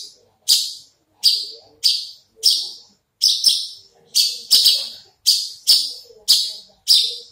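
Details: Horsfield's bush lark kept in a cage, a big-bodied bird with an upright crest, giving loud rasping high notes in evenly spaced bursts, roughly one every half second, each fading quickly before the next.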